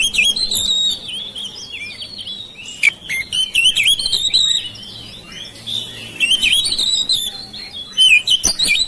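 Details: Caged household oriental magpie-robin in long, continuous song used to draw out silent birds: rich, warbling whistles with sudden clicks and scratchy chatter, a brief lull midway, then renewed loud phrases.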